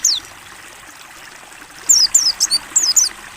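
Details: Mountain white-eye, ngalas type, in a clear open-beak training recording: one thin falling whistle, then after a pause a quick burst of six high, sharp descending notes over a steady trickle of running water.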